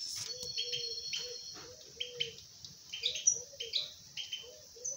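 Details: Pair of common bulbuls nesting at a house with two eggs: bright, high chirps and short sharp notes in quick bursts over a run of soft, low hooting notes about twice a second.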